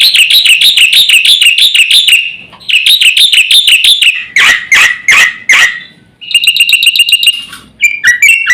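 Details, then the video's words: Javan white starling master recording to provoke birds: rapid trilled bursts of ringing chirps in rhythmic series, broken by a few loud harsh squawks, then more quick chirping phrases. "suara masteran jalak putih gacor full isian"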